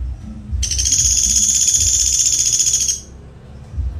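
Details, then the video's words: Pelatuk Sampit in full voice, a rapid-fire tight-shot song style: one loud, very high, dense buzzy trill of fast pulses held steadily for over two seconds, then it stops, with low rumbling background noise. "Pelatuk Sampit Gacor Tembakan Speed Rapat"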